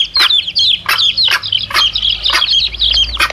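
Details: Domestic chicks with their mother hen, recorded as a lure for wild male junglefowl: dense high, falling peeps from several chicks, overlapping in quick bursts, with sharp clicking ticks recurring about every half second.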